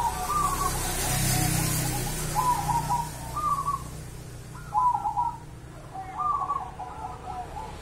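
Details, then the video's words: Javanese local zebra dove from the wild, repeating short rolling, bubbling coo phrases at uneven intervals, with a hissy background and low rumble. "mental perkutut lokal Jawa"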